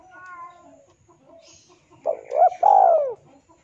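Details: Spotted dove male calling to a rival, used as a lure: faint whistled notes at first, then one loud phrase of a short coo, a quick upward catch and a long falling coo.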